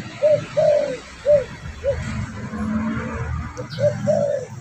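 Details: Spotted dove lure call meant to attract birds: two phrases of mellow coos, short notes around one longer drawn coo, separated by a pause filled with low rumbling.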